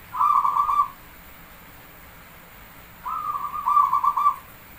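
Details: Javanese zebra dove (perkutut) song: two pulsed cooing phrases about three seconds apart, the second longer with a stuttering rhythm of beats.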